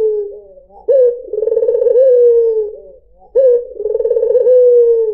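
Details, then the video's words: Two full coos from a white dove, used as a lure for other birds: a low purring trill swelling and then sliding into a smooth falling note, after a softer lead-in coo. "PANCINGAN SUARA BURUNG PUTER PUTIH || SUARA BURUNG PUTER MERDU"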